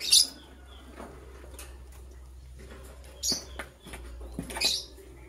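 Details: Short, harsh, high-pitched chirps from green and blue lovebirds getting ready to lay eggs: one burst at the start, then two more close together near the end, with faint rustling between.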